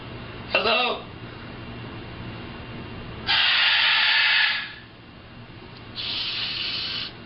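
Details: Macaw; mimicked speech; telling another parrot to be quiet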